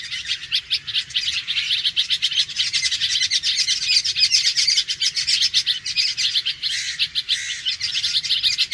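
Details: Red-vented bulbul alarm call: harsh, rapid chattering notes, about three or four per second, high and scratchy, run together in a continuous agitated stream.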